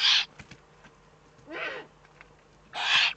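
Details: Eurasian eagle-owl in the Eifel, Germany, on 3 May 2014, giving three harsh, hissing rasps about every one and a half seconds, each under half a second, over a quiet background.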